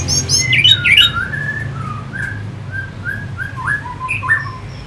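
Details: Orange-headed thrush singing as a stimulating lure for fighting birds. Opens with a few loud, sharp, high chattering notes, then continues in softer, lower slurred whistles scattered irregularly over a quiet background hum.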